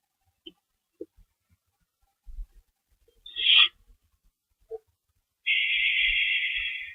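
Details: Owl at a lookout after chasing a mystery owl, shortly past midnight, March 24, 2012; faint clicks and taps, one brief rasping screech, then a long, steady hissing screech lasting over a second.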